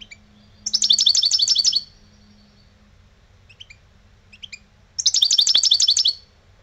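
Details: Lebrijano-style song from an old European goldfinch kept as a pet: two loud one-second trills of rapid, high, tinkling repeated notes, with soft scattered chirps between them.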